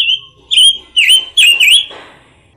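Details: Pancawarna (red-billed leiothrix) giving loud clear whistled notes, each dipping then rising, about four in two seconds, the last fading into a soft rustle.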